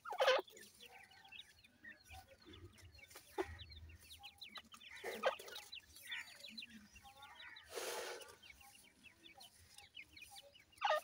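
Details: Many grey francolin chicks peep while feeding, with rapid thin rising notes in bursts. Louder noisy crashes come at the start, in the middle and at the end.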